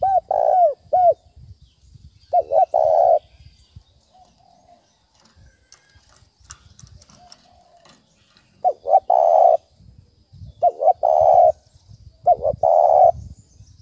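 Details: Spotted dove thúc bổi lure call: a burst of quick falling coos and a long coo, then a pause with faint clicks and rattling, before three more phrases of double notes and drawn-out coos.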